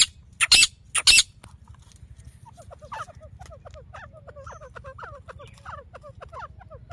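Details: A female grey francolin calling in Layyah, Punjab, Pakistan, recorded for hunting use. After two loud handling knocks, a rhythmic run of short paired notes repeats steadily at a moderate pitch over a low hum.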